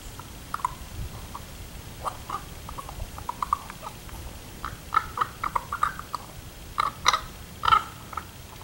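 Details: A raven gives a run of short, hollow clucks and knocking notes, irregularly spaced and growing louder and busier toward the end, over a low rumble; filmed 10 August 2016.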